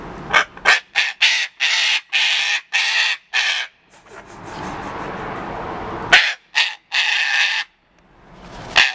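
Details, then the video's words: Cockatoo throwing a tantrum: harsh, raspy screeches in quick bursts, about eight in the first three and a half seconds. A quieter rustling stretch follows, then another run of loud rasping screams. "'Too Tantrum"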